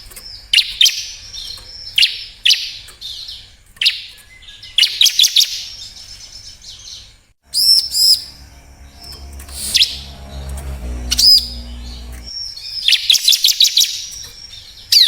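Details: Bar-winged prinia song used as a lure to prompt reluctant birds to sing: short, high, buzzy chirping bursts repeated every one to two seconds, with a quieter stretch of low rumbling in the middle.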